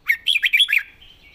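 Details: Red-whiskered bulbul, described as singing readily with pleasing phrasing, gives one quick burst of four or five loud, bubbling whistled notes that jump up and down, then a thin trailing whistle. The background is quiet.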